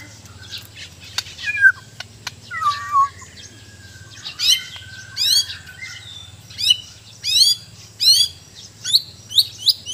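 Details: White-rumped shama of Sabah, Borneo, giving a few soft low whistles, then a series of very high, sharp downward-sweeping chips repeated in bursts roughly every second, over a constant low hum.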